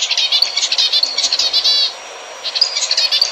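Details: Zebra finch song for encouraging breeding: quick nasal beeps and buzzy trills, including a rapid rattling run, then a short hissy pause before more squeaky beeping notes.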